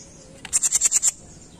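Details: A gacor Jenggot mini in a masteran recording gives a crisp series of six evenly spaced, very high, bright chip notes lasting about half a second, with a clean quiet background.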